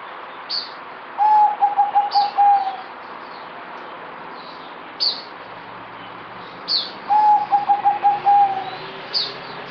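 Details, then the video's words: Two bouts of zebra dove (merbok) song from a kept bird dated 08052020 that is quieter than usual, each a fast, pulsed trill of pure coo notes on one pitch, with frequent high chirps from other birds between them. "Merbok Zebra Dove"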